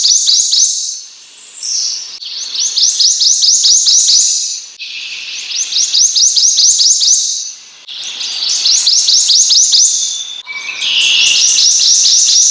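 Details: Prothonotary warbler (Protonotaria citrea) singing loud, bright phrases of rapidly repeated high sweet notes, about five bursts each lasting roughly two seconds, separated by short pauses.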